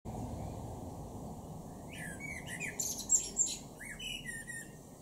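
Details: Male blackbird in a garden in Norden, East Frisia, northwest Germany, in June sings low fluty warbled phrases ending in thin squeaky twitters, starting about two seconds in over a steady low rumble.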